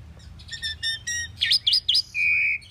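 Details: Common pied myna singing a fast jumble: stacked chattering notes, then three loud wavering whistles, ending in a long flat steady whistle.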